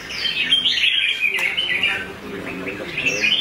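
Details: Red-whiskered bulbul of a singing-contest line pours out a dense, fast stream of bright chirping notes, slightly fading midway before picking up again.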